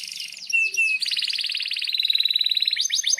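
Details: Canary in full song, recorded as a tutor for young birds: a few falling slurred notes and a thin whistle lead into a fast, even, pulsing trill, closing with sharp upward sweeps.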